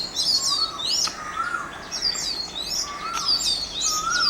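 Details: Oriental magpie-robin singing at Mormugao Harbour in Vasco da Gama: sweet high warbled whistles repeated in quick phrases, interleaved with lower slurred notes, with faint outdoor background noise.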